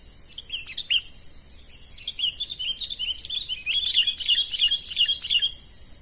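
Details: Young wild-caught sooty-headed bulbul being trained as a lure bird: a run of quick, chattering chirps in a steady stream, preceded by a few isolated notes, with a constant high insect-like hiss in the background.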